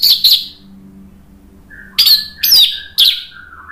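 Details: Singing orange-headed thrush, played to spur another bird into song: two bright chirps, a soft pause with a quiet low whistle, then three sharp, evenly spaced high chirps.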